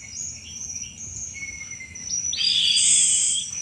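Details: Sunda robin in vigorous chattering song meant to attract thrushes: thin high whistles, a long level note, then a loud dense burst of high buzzy twittering near the end.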